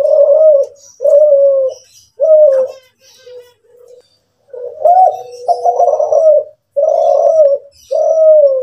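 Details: Kelantan-type spotted dove, a cage bird valued for a deeper, sweeter coo than local doves, giving a steady series of soft mellow coos, about one per second, with a few quieter broken notes in the middle.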